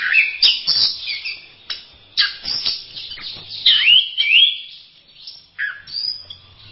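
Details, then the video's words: Varied masteran song of an orange-headed thrush: sharp whistled notes and sweeping slurs in loud bursts, over a sharp clicking and a low hum in the background. "Berbagai kicau burung anis masteran"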